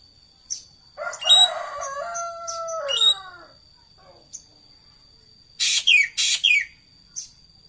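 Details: Racket-tailed treepie: scattered short notes, a drawn-out nasal call that sinks gradually, whistled notes, then four loud harsh rasps in two pairs and a final soft note, with a faint continuous high whine.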